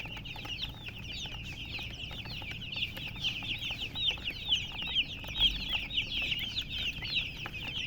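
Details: Many chicks chirping together, a continuous flurry of thin, high peeps with quick downward and upward slurs, growing busier and louder in the second half over a faint low hum.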